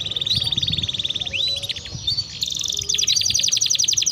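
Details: Energetic canary song serving as a lure to get canaries singing: a continuous high rolling trill shifting into sweeping slurred notes, then a faster, sharper rattling tour of rapidly repeated syllables.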